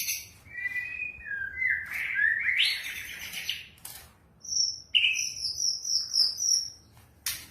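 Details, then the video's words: White-rumped shama song on a track for triggering singing: warbled whistles climbing to a strident rush, a pause, then thin very high whistled trills, over a constant low background rumble. "Pancingan murai batu 100% efektif langsung auto gacor"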